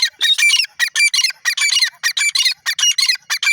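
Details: Grey francolin, called teetar, giving loud harsh high notes in rapid bursts about every quarter second, dense and insistent throughout.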